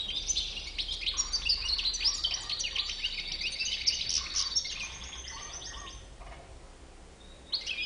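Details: European goldfinch with a white chin pouring out a dense, tinkling twitter of rapid high notes and buzzy fragments for several seconds, fading toward the end before a last short burst.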